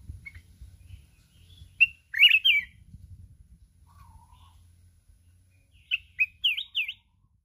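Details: Red-whiskered bulbul of the mountain form in contest, singing the wild 'kít bổi' song with nonstop wing flapping; a loud warbled phrase early, a soft low whistle midway, then a run of bright rising-falling notes near the end.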